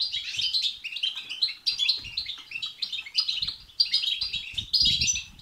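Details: Goldfinch batbata and satsata twittering meant to stir a caged goldfinch to sing: rapid, tinkling, high chatter in several bursts, a brief pause near midway, and faint low knocks beneath.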